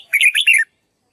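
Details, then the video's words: Red-whiskered bulbul singing a practice song meant to teach another bird its voice: one brief, rich warbled phrase of quick rising and falling whistled notes, then silence. "Chào mào luyện giọng cực hay để ép chim má trắng học giọng"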